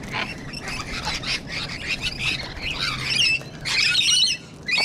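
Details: Sulphur-crested Cockatoos gathered in Sydney, Australia, alongside Rainbow Lorikeets, give scratchy screeches and shrill squawks in irregular bursts, mixed with higher chattering notes, then fall briefly quiet before a last harsh cry.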